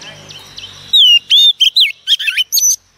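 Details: Oriental magpie-robin female singing to stimulate rivals: after a faint noisy start, a rapid run of clear whistled slurs and chirpy notes, bending up and down in quick succession.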